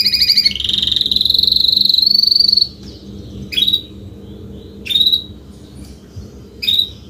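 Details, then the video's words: Adult Spanish Timbrado canary, Belgian canary of Spanish breed, in salsa song: a dense, slightly buzzy trill held for about two and a half seconds, followed by three isolated sharp chirps spaced over a second apart. "CANTO CANÁRIO SALSA ESPANHOL/ESPANHOLINHA"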